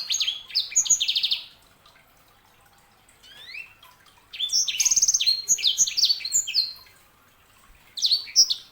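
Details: Bright whistled phrases and a fast trill from a sanger canary hybrid, a quiet gap with a soft rising slur, then a long jumbled run of high chirps and whistles.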